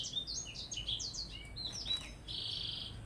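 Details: Blackthroat singing in a contest with a Java sparrow: quiet, rapid twittering of short slurred whistles and upswept high notes, closing with a dense buzzy trill, over a low steady hum.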